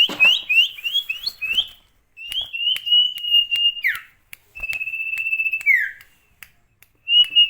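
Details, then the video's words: Sirtu in lively song: a run of quick rising whistled phrases, followed by long level whistles that end in falling slurs, separated by short silences, with faint clicks. "burung sirtu gacor"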